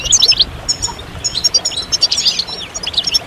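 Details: European goldfinch chorus of mating and readiness calls, meant to coax silent moulting males into song: quick, high-pitched tinkling twitters in bursts that rise and fall, over faint low background hum.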